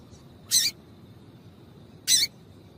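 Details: Female double-collared seedeater calling to excite males into singing: two short, harsh, sharp chip notes about one and a half seconds apart over a quiet hiss, with no other birds.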